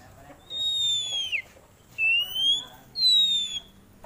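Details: Three long clear whistles from an oriental magpie-robin, a contest songbird showing its fill-in repertoire: the first falls and drops at the end, the second rises, the third slides gently down.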